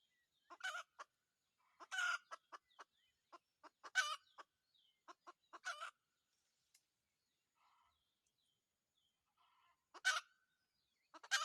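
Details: Red junglefowl, a wild rooster caught during decoy trapping, giving sparse, brief, raspy call bursts over about eleven seconds, with some louder notes at irregular intervals and long quiet stretches between.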